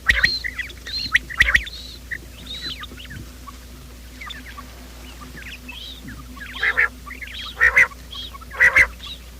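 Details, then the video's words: Quail morning call used as a trapping lure: scattered harsh calls early, a quieter gap with faint notes, then three strong squawky bursts about a second apart, over a constant low hum. "Bater ki awaaz , batair ki subbha keliey awaz 2025 , batair ki awaz , bater ka awaaz, quail sound"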